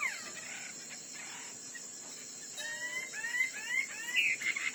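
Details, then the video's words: Chinese hwamei in a fighting song contest: after a quiet start, a run of clear whistled notes, some sliding up and others down, repeats quickly over the last two seconds above a steady high hiss. "Họa mi đất hót đấu"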